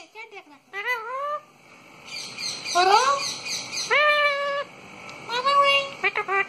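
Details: Chatty pet parrot producing a run of varied harmonic calls: sliding rising whoops, a buzzy trilled stretch, sustained flat notes and quick chirps at the end, with steady hum behind.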